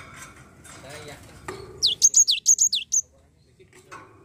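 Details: Java sparrow lure recording meant to coax a reluctant bird into singing; after some faint clattering, a quick string of about eight high, downward-sweeping chirps rings out, then quiet with a few soft knocks.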